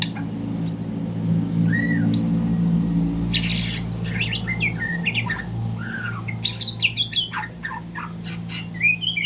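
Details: Morning practice song of a young, still-spotted White-rumped shama learning to sing: scattered sharp chirps, squeaky upward slurs and buzzy notes, clustering toward the end, over constant low rumbling background noise.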